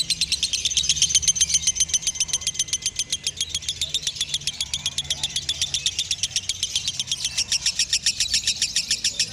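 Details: Lovebird singing in the konslet style, a fast unbroken chatter of sharp high clicks, roughly four per second, held for the whole stretch with a faint thin whistle near the start and low background rumble.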